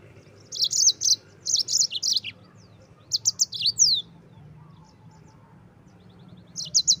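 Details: Yellow-fronted canary in full rolling song, used as tutor song for training white-eyes: bursts of quick high sweeping notes around one second long, separated by short pauses, with a low steady hum beneath.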